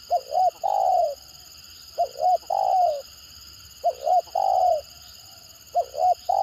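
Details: Tekukur gagap, a stuttering spotted dove kept as a lure bird: four repeated phrases about every two seconds, each two quick hiccuping low notes followed by a long descending coo, with a faint background hum.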